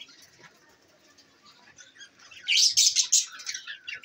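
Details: Budgerigars, pet parrots in Larkana, Sindh: a run of sharp, high, buzzy chirps bunched near the end, with soft wing flutters and quiet background before.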